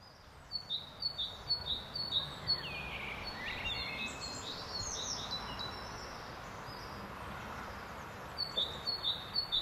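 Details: In spring, a great tit repeats bright, high two-note phrases about twice a second, at the start and again at the end. Other birds twitter in between over a faint outdoor hiss.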